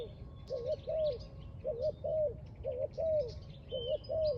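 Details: Loud repeated coos of a spotted dove by a trap, each phrase a rippling double note then a drawn, dropping coo, four phrases, with scattered chirps of small birds and low rumble behind.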